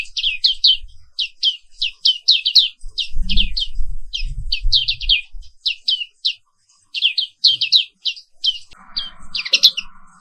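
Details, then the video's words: Black-capped white-eye (Zosterops atricapilla), an Indonesian endemic, singing in the morning: rapid high chirpy twittered phrases in bursts, with low thumping knocks near the start and a brief buzzy noise toward the end. "Suara Terapi Pagi Pleci Papua Wiklus | Auto Aktif & Ngerol Terus"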